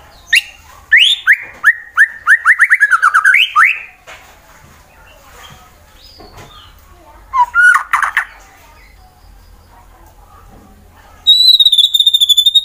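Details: Caged white-rumped shama, a fighter-type bird from Wonosobo, Central Java, Indonesia, singing to provoke rival birds: a rapid run of rising whistled notes, a pause, a brief slurred phrase, then a high buzzy trill near the end.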